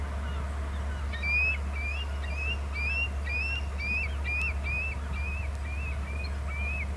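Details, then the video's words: An eagle calling after flying off to the left from the top of BST: a steady run of about a dozen high, thin, upslurred chirps, roughly two or three per second, over a constant low hum. "Eagle off left from top of BST calls then screepy calls"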